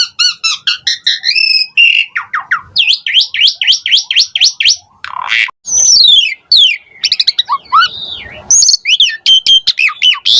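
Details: Asian pied starling in a dense, lively song full of mimicry, used to prompt idle starlings to sing: rapid repeated rising sweeps, quick chirp series and harsh bursts packed almost without pause over about ten seconds.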